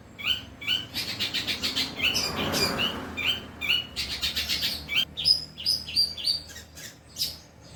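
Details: Long-tailed shrike in imitative song with 'kuntilanak' and 'greja petir' phrases: fast twittering runs with brief clear whistled notes, then a series of thin high whistles.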